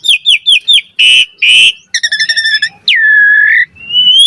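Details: Lure song of an Asian pied starling, meant to prompt a reply and serve as a tutor recording: four quick rising chirps, two rich buzzy notes, a stuttered harmonic rattle, then a long sliding whistle and a final upward whistle.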